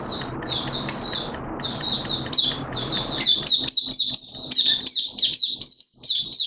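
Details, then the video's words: Malaysian white-eye singing in 'buka' open style, recorded 21 June 2023 as a hobby bird. Soft high warbling over a dull rumble builds into loud, rapid, sparkling twitters in the second half. "Malaysian Mata Puteh Buka Sing"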